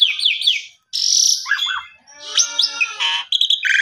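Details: Lure song of an Asian pied starling, used as a master recording for canaries to learn: fast wavering high notes, a loud raspy burst, dipping whistles, then scratchy chatter and short bright chips.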